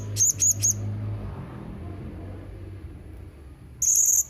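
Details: A Blue-crowned hanging parrot gives three shrill high squeaks, then after a quiet pause a rapid, rattling, high-pitched trill.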